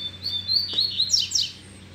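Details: Double-collared seedeater, loose and aroused by a female, gives a fast phrase of level high whistles followed by two steep, scratchy descending sweeps.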